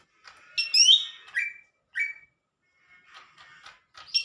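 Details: Lesser green leafbird in energetic song, giving a loud warbled phrase of high sweeping whistles, two clear downslurred notes, then softer scratchy twitters and a high chirp.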